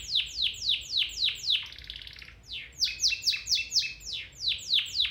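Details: Training song of a domestic canary: steady series of steep downward-sweeping notes about four per second, broken by a short rapid buzzy roll, then the sweeping notes resume with some doubled phrases.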